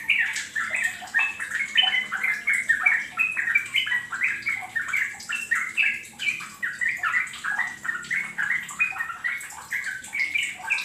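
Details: Yellow-vented bulbul, played as a lure to get other birds singing loudly and in rapid 'ropel' runs: dense, bubbling, chattering phrases of quick liquid notes, overlapping almost continuously, as if several birds sing together.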